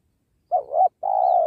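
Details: Single cooing phrase from a spotted dove used in trapping by a sacred tree to lure wild doves: a wavering dipping coo followed by a long, steady hollow note.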